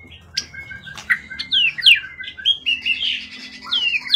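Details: Calm, long-kept songbird of forest origin, tail above 20 cm, kept for bird contests, gives clear downslurred whistles and quick sweeping notes, then a short warbling run, delivered in spaced bursts.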